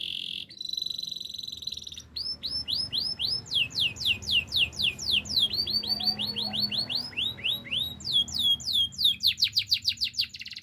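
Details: Canary in full song: a short buzzy opening, then long runs of quick rising whistled notes repeated several times a second, shifting between tours of slightly different pitch and speed.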